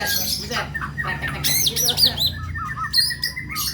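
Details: White-rumped shama, murai batu, in a pancingan murai pastrol style recording: varied whistled phrases that rise and fall, with fast sweeping notes and short high chirps, over a steady low background hum.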